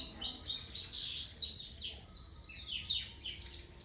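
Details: Young canary singing soft trilled phrases of quick descending chirps, several short series in a row, above a low steady background noise.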